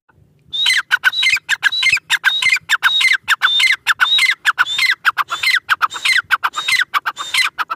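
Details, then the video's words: A francolin pair, known locally as irani teetar, calls continuously. Each fast phrase starts with a bright whistle and breaks into scratchy, falling notes. The pattern repeats about every half second over a faint low rumble. "Teetar pair ki awaz | irani teetar ki awaz"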